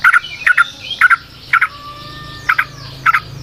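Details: Yellow-vented bulbul lure recording. Short, rough chattering bursts repeat about every half second, then pause, with a thin drawn-out whistle in the background.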